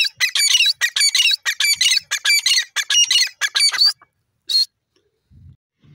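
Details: Grey francolin, known locally as dakhni teetar, giving a rapid run of loud, harsh, squawking notes in about ten bursts over four seconds, then one last note after a short pause; quiet background.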